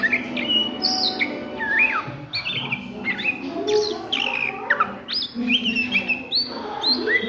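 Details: At midday, an Oriental magpie-robin gives ngriwik-style song, a busy run of varied whistles, sharp upward slurs and quick chirps packed close together, with a faint low drone underneath.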